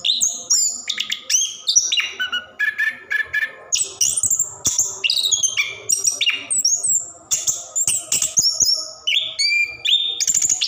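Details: Long rolling song of an orange-headed thrush, recorded as a prompt for caged birds reluctant to sing; fast torrent of sharp chips, clear whistles and slurred phrases at many pitches, nearly continuous.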